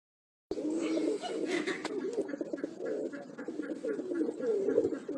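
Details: Fantail pigeons displaying in front of an audience coo in low, throaty, overlapping rolls that run almost without a break, with some background murmur and a faint voice.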